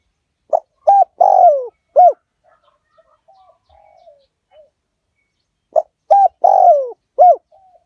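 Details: Lure call to attract wild spotted doves, 'liu tan' style: a phrase of four hollow coos, the third drawn out and falling, faint quiet cooing in the pause, then the same four-note phrase repeated about five seconds later.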